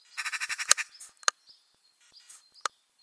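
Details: Ural owl in a nest box with growing owlets, May 2020, recorded by a camera under the box lid; a fast run of about ten harsh pulsed notes, then a few sharp clicks and soft hissy sounds.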